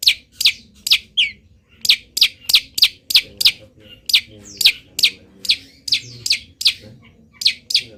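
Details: Long-tailed shrike in moult, still in strong song full of wild-bird imitations: rapid, sharp, high chips in a loose, steady stream, about three per second, with a faint low hum behind.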